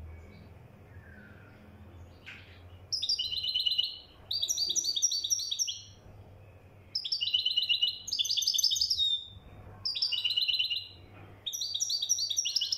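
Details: Moroccan goldfinch, called mkhantar, delivering repeated fast phrases of bright twittering and jingling notes. Short pauses break the phrases, a soft low hum runs beneath, and a quiet chirp is heard early on.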